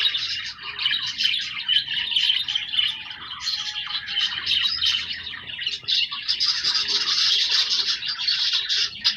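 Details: Many budgerigars kept as pets warble and chirp continuously, a shrill, scratchy chatter that grows denser and louder in the second half.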